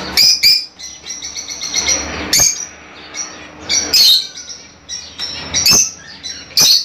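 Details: Kept Fischer's lovebirds, sounds meant to encourage mating: loud piercing squeaks every second or so over a softer background of busy high twittering, with a faint low hum.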